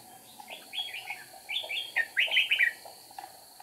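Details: Trapping decoy red-whiskered bulbul, flicking wings and tail, 8 April 2019: a quick run of chirpy, descending warbled notes forming two dense phrases, with a steady high-pitched hum behind.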